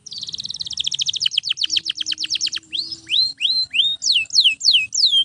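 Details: Singing canary used to train other birds: a quick rattling run of downward notes, then slower clear whistles sweeping down, repeated about every third of a second.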